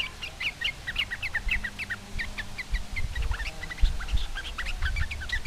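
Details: Sooty-headed bulbul singing to provoke rival bulbuls into answering: rapid, dense series of short bright chirping notes, repeated several times a second throughout, with overlapping callers and steady low background rumble.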